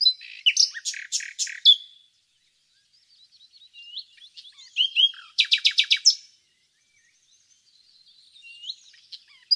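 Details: Village nightingale from Yol-çatı, Bursa: a stuttering series of sharp clicks and whistles opens, quiet twitters follow, then a loud, fast volley of pulsed notes and fading soft chatter.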